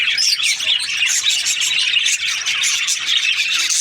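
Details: Budgies in breeding season chatter loudly, a thick mix of shrill chirps, rapid warbles and squeaks from a crowd of parakeets.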